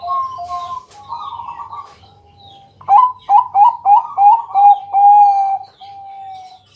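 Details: Bangkok zebra dove singing at night to coax other doves into song: soft sustained coos, then a loud burst of rapid staccato cooing notes ending in a long steady coo, faint hum beneath.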